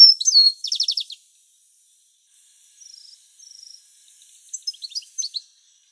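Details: Singing male European goldfinch a few tens of metres from the incubating female; a loud run of rapid, high repeated notes, then a gap with two soft buzzy phrases, ending in a scattered twittering burst.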